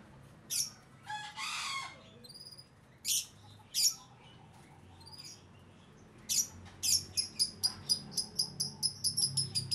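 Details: Caged striped plaintive cuckoo kept as a pet and fed crickets; after a few scattered harsh, high chirps comes a fast run of thin, piercing notes repeated roughly three times a second, with quiet background hum.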